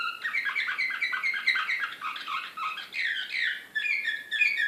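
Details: Agitated canary singing Serbian Slavujar style in Belgrade, 2016: dense chattering trills of quick repeated notes, shifting into buzzy rising sweeps and higher rattled figures near the end, with no other sounds.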